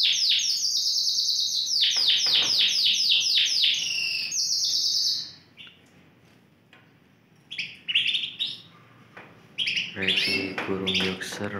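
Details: Romeo-coloured Yorkshire canary, one of four kept birds singing hard, gives five seconds of dense rapid trilling, then a near pause before scattered short chirps and a low rattly burst.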